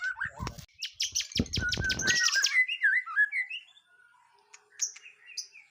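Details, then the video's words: White-rumped shama undergoing its first mental test: loud rattling noise bursts at the start, then a string of buzzy notes and rising, falling whistles that fade into softer sparse notes. "Nguji Mental Burung Murai Batu Perdana"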